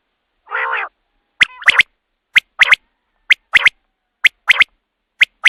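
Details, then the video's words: A common quail lure call for night hunting opens with one nasal, buzzy note, then crisp triple-note phrases ring out roughly every second, each a single clipped note followed by a fast double. "batair ki awaz raat k liye | quail calling | رات کے لیے بہت ہی اچھی آواز"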